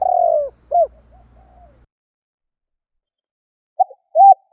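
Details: Spotted dove calling to provoke wild doves. The end of a phrase, a long purring descending coo and a short hoot, over faint low rumble. After quiet, the first clipped notes of the next phrase follow.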